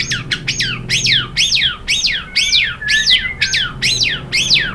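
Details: Loud, rhythmic phrase of a white-rumped shama: about ten ringing notes that swoop up then down, repeated roughly twice a second in a steady series, with a faint low hum underneath.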